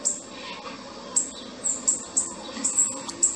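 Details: Male and female Bananaquit giving irregular, piercing high chips and short squeaks, several per second, over a faint muffled background.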